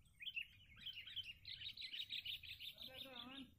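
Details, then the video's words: Sooty-headed bulbuls pitted against each other in a decoy-bird fighting contest held by a bird community at Palag Liwa: fast, chattering, warbled notes running together almost without pause. Near the end, a lower, buzzy, wavering sound with layered tones cuts in. "pertarungan pikat kutilang cengkram"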